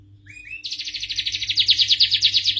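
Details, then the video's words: Starblue canary song opening with a couple of quiet rising notes, then breaking into a loud, fast, even trill of repeated high syllables; steady low hum in the background. "suara merdu kenari starblue"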